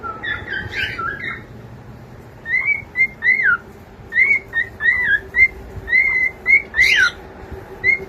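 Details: Pet cockatiel chick singing at home, opening with rough chatter and then a series of short rising and falling whistles, roughly two per second, clear over faint room hum.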